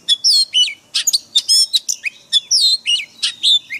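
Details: Caged white-rumped shama training song in forest style, a lively stream of rich whistled phrases, falling slurs and crisp chips repeated in quick alternation, loud and continuous throughout.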